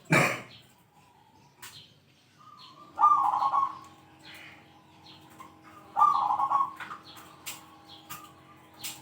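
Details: Zebra dove with a big 'kung' voice, known for calling rivals: a sharp opening noise, then two strong rolling coo phrases about three seconds apart, preceded by softer lead-in notes, with a low steady hum underneath.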